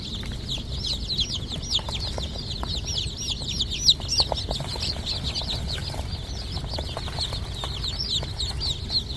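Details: Farmed chickens producing a dense flurry of short, high, downward-sliding peeps, several per second, layered over a constant low mechanical drone.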